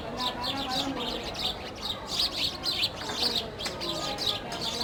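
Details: Sparrows feeding on a loaf of bread, chattering busily with dense runs of high, thin chirps, several overlapping, above faint low background noise.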